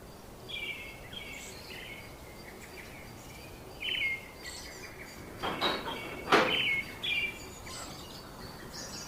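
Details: Pet budgerigars give soft, scattered chirps and short warbling notes, with a few sharp clicks and taps.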